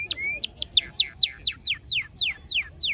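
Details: Pet canary singing beneath a wisteria trellis in Nara Park, Japan: a steady run of bright, clear notes, each sweeping sharply downward, repeated about four times a second after a short opening trill and a rising whistle.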